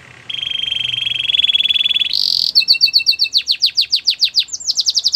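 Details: Belgian canary, for training canaries, delivering a long even rolling trill, a brief high buzzy burst, clipped repeated notes, then rapid descending swoops in quick succession.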